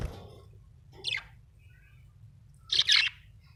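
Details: A happy budgerigar gives two short, bright chirps about two seconds apart, the second louder and more squawky, over quiet room hum.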